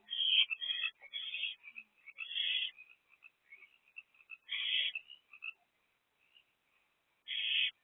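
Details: Nestling owl in a nest box in the evening of 1 April 2024, begging as the night's first food arrives: rough, hissing screeches in short clusters, with quiet gaps and softer rasps between the louder bursts.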